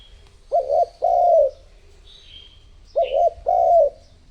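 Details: Lure spotted dove calling to draw in other doves: two pairs of low, rounded coos, each pair a short note then a longer falling one.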